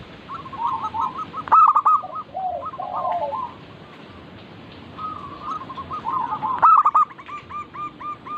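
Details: Local zebra dove singing for a lure recording: trilled bursts of mid-pitched coos with loud stacked accents, lower warbling notes, a quiet gap, then a steady run of repeated hooked coos.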